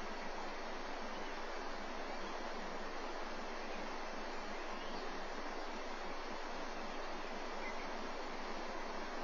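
A steady hiss like rushing water or surf fills the recording, with no animal calls.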